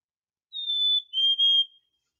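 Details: A male Black-capped Chickadee's springtime song: a clear two-note whistle, a higher pure note sliding to a slightly lower one, likened to 'hi, sweetie' or 'cheeseburger'. Nothing else is heard.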